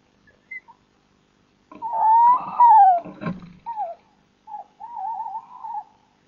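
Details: Male tawny owl delivering prey, probably a mouse, to the female in a nest box at night, both birds vocal. A mix of rising wails and grating sounds, then a quavering, trembling tone near the end, recorded by a nest camera.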